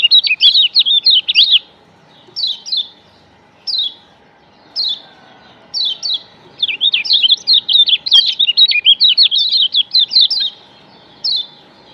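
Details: Lure song of the Lombok yellow white-eye (kecial kuning): short bursts of high, quavering chirps at first, then a long, busy stream of rapid twittering notes rising and falling, ending with one isolated chirp.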